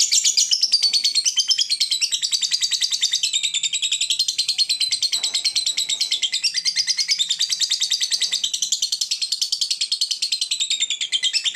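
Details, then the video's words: Long ngekek trill from a caged fighter lovebird in Indonesia, a song said to make rival birds join in: an unbroken, rapid, high chattering rattle lasting over eleven seconds with slight waves in pitch. "Lovebird Fighter ngetik ngekek panjang - Bikin musuh ikut bunyi"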